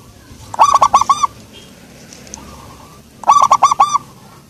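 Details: Local zebra dove with a mellow voice repeats its phrase twice, each a rapid string of four or five rounded, resonant coos separated by a quiet gap.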